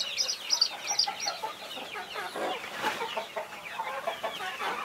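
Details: The guarding mother hen clucks softly and rapidly, about three notes a second, while her 21 chicks give thin, piercing peeps over the top.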